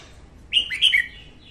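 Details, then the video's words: Female red-whiskered bulbul's morning song, played to train other bulbuls and lure birds into traps: one short, clear phrase of two or three quick, bright warbled notes that drop slightly in pitch. "Tiếng Chào Mào hót sáng kích chào mào hót, chào mào gọi bổi"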